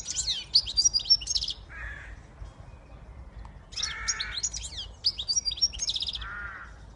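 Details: Siskin x goldfinch hybrid giving twittering phrases of high chirps and trills, each followed by a lower, drawn-out buzzy wheeze, the pattern heard three times.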